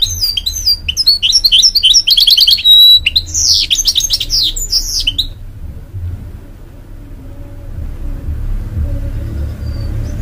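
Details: Cross-bred goldfinch and canary hybrid singing to its young chicks, a loud burst of fast trills and whistled slurs lasting about five seconds, then silence apart from low background rumble.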